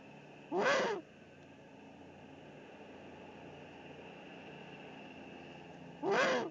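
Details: At an Eifel nest on 13 March 2019, a male Eurasian eagle-owl delivers food, probably a pigeon, to the female; two hoarse, screechy bursts roughly five seconds apart, with quiet hiss between them.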